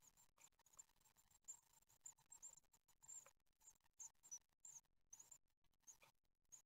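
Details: Faint begging of nine-day-old great tit nestlings being fed, recorded by nest webcam at Ostwald on 15 June 2020. Quiet high, thin squeaks run on steadily, broken by soft clicks and rustles.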